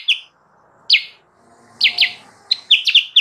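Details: Bird called kutilang sutra, played as a lure for wild birds: sharp, high chirps given singly and in quick pairs, with a rapid cluster of chips near the end and brief silences between.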